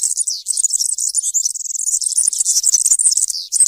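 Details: Unbroken 'campero'-style European serin song, recorded for schooling young serins: a fast, shrill, jangling chatter of very high notes throughout.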